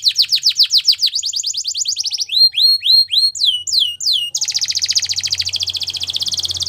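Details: Belgian canary song for training, starting with fast descending trills, then curved whistles repeated about three per second, and finishing in a long dense buzzy roll with a faint low hum.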